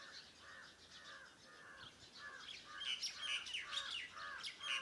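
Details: Farmhouse morning birds: lower arched, slightly harsh notes repeated at a steady pace, joined in the second half by louder high chirps and twittering.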